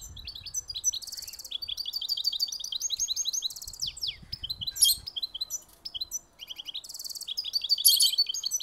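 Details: Goldfinch hybrid singing a lively, high twittering song of quick chirps, slurred whistles and dense buzzy trills in varied phrases, with a short pause near the end before another burst.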